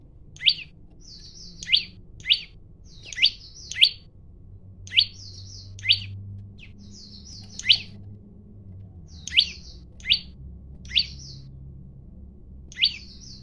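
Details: A male olive-backed tailorbird in full voice gives sharp, high chirps, each dropping quickly in pitch and repeated roughly every second, over a faint low hum; song described as challenging to fight; Olive-backed tailorbird.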